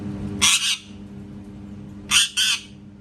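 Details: Parrot that makes cat sounds gives two pairs of harsh, broadband squawks about one and a half seconds apart, each pair a quick double burst, over a low indoor hum.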